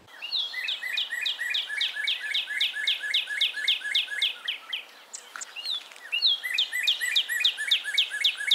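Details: Northern cardinal song, a common backyard bird in the eastern United States, likened to "cheer cheer, pretty pretty pretty": a fast series of loud, clear, down-slurred whistles, three or four per second, then a brief pause and a second run.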